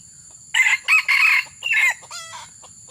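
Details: Red junglefowl crowing during a session luring wild junglefowl: a loud, hoarse, broken crow of four harsh syllables over about one and a half seconds, then a thinner trailing note, over a steady high insect drone.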